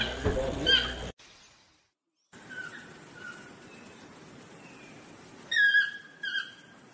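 Loud, harsh yelping notes ring out, one near the start and a pair near the end, over a soft forest hiss with faint thin whistles between.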